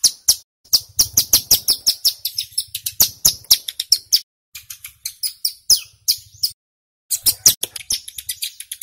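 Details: Lure song of a male mountain ciblek, the Bar-winged Prinia, meant to make wild prinias answer: a rapid, unbroken string of sharp high chips and trills, delivered loudly in fast runs with one short pause.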